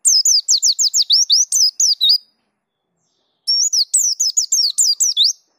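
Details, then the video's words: Energetic ngerol rolling song of a Pleci Dakun white-eye delivering filler phrases: rapid strings of high, sharply bending whistled notes, a pause of about a second, then another fast burst. "Pleci Dakun Ngerol Gacor Bongkar Isian"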